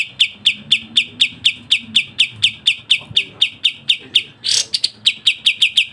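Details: Fast, tightly spaced song of a Sooty-headed bulbul with variation: sharp, high, piercing notes repeat about four times per second, broken once by a short, harsh, noisy note.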